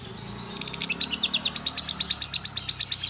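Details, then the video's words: Lovebirds in a colony aviary calling busily: a rapid, even series of short high chirps, about five to six per second, running on without a break after a brief quiet start. "Lovebird Murah Tapi Bukan Murahan l Ombyokan Gacor"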